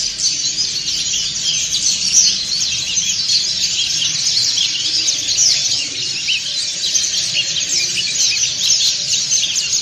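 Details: Many white-eyes, dakun and montanus types, twittering together in ngriwik style; dense high, jittery chirps run on without break, swelling and easing slightly.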